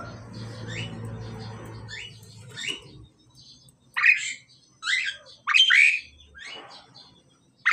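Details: A low rumbling noise opens, then a male and female Pied Myna in the pairing process give a series of loud, separate, rising harsh squawks, some in quick pairs.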